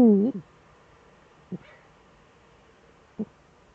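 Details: Eurasian eagle-owl duet at the nest in the Eifel on a December evening, male present: the tail of a deep hoot at the start, then two brief soft low notes spaced well apart over a quiet background.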